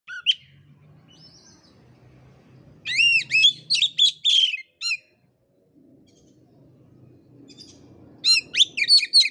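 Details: Oriental magpie-robin (kacer) in a lure and master recording meant to prompt birds whose voice is not yet full: rapid bursts of high, arched whistled notes, a short opening phrase, then two loud sequences, with a faint low hum between.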